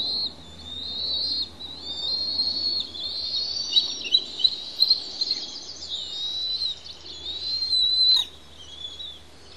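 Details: Noisy begging of two young Bald Eagles on the Pelican Harbor nest, Santa Cruz Island, while the adults bring and share food; long run of high whistled squeals and chittering notes, with a sharp click near the end.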